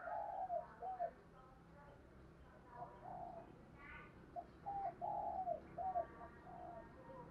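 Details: Spotted dove calling to attract other doves, with low, hollow coos repeated at irregular intervals against a steady background hiss and faint other sounds.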